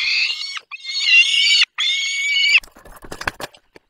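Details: Juvenile peregrine falcon, Barycz Valley, Poland, recorded 1 June 2022 as it slides off a branch; three loud, rasping, sustained screeching calls in quick succession, followed by rustling and clattering noises.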